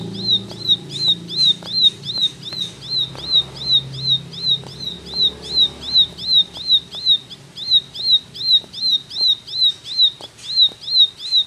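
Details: Long run of ciblek 'tembakan' song, insistent high sharp notes with an upward hook, repeated in a fast even rhythm, over low background murmur and occasional clicks.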